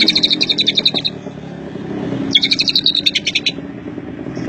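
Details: Isian Cililin song of a greater green leafbird: two bursts of quick chattering notes, each lasting about a second, pulsing rapidly at a high pitch, with steady low rumbling noise behind.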